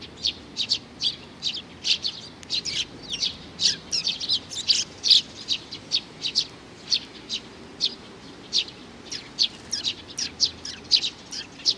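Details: A juvenile sparrow chirping steadily, June 2019: short, bright, high notes repeated roughly every half second to a second, a few closer pairs in the middle, over a faint low rumble.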